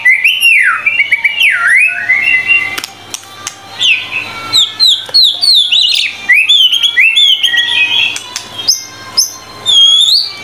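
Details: Long energetic song of a White-rumped shama used as tutor material: swooping, looping whistles, then dense, varied warbled phrases mixing clear whistles, sharp high notes and quick trills, with a quiet background hum.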